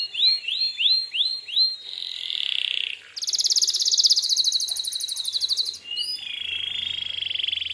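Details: Singing gacor canary, used to draw answers from other canaries: rising whistled slurs, a buzzy trill, a long fast high rattle, then another trill with a low hum beneath.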